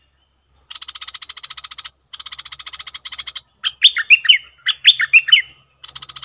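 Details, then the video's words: Two stretches of dense, rapid buzzy pulses alternate with a burst of warbled, down-slurred whistles in cream-vented bulbul double song, June 2021; a faint low hum sits underneath. "เสียงนกดอกแตงEp.59 Birds sounds เพลงเบิ้ลของเจ้าเพชร!!Merbah lekir gacor"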